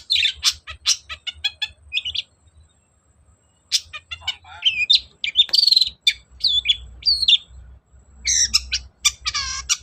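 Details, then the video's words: Long-tailed shrike song used as a lure to prompt a reluctant shrike to sing: a rapid, varied medley of sharp chirps, high whistled slurs and buzzy trills in bursts, with a short pause midway and faint low hum beneath. "Pancingan cendet males bunyi agar nyaut gacor"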